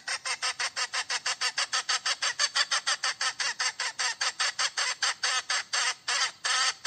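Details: Hen cackling while calling for a mate, a long run of harsh, broad clucking pulses repeated about three to four times a second, slightly slowing toward the end.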